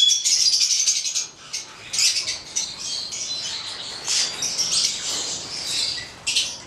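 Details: Red male and black female Stella's lorikeets (Charmosyna papou goliathina) in captivity produce shrill, piercing squawks and chattering notes, loud at first, then in irregular bursts.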